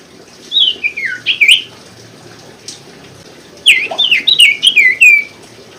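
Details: Common Iora recorded to prompt silent birds: two bursts of quick, descending slurred notes with a buzzy quality, separated by a pause of about two seconds.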